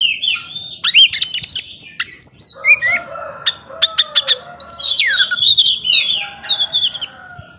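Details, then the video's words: Oriental magpie-robin in full song used to stir up slower-tempered rivals: varied whistled phrases, sweeping slurs and sharp clicking notes follow one another quickly, with a fainter lower warble beneath. "Kacer gacor ngobra bisa memancing emosi kacer yang lambat emosi"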